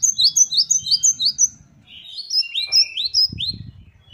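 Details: Great tit song known as gelatik batu gacor: a fast run of high rising notes, then a lower-pitched phrase of swept whistles after a short gap. A faint low murmur sits beneath.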